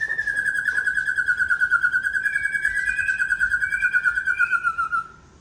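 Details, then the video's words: Aceh white-rumped shama delivering a bursting, fill-in-rich song: one sustained rapid rattling trill that sags slightly in pitch over five seconds, with faint higher notes overlapping midway, then stopping abruptly. "Murai Aceh SMBF Sembur Isian Gawat"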